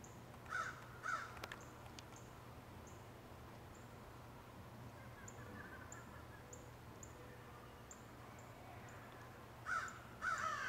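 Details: Crow in woods giving paired harsh caws at the start and again near the end, with a long quiet middle where another bird's thin, high, evenly spaced peeps repeat roughly every second.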